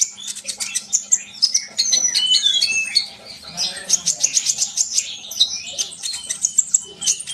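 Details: Energetic sunbird song: a continuous stream of very high, rapid chirps and thin sliding whistles with barely a pause, above a faint low hum.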